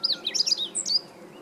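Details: On 20 March 2015 a meadow bunting delivers a quick, loud phrase of high, varied, sharply slurred notes lasting about a second, followed by silence.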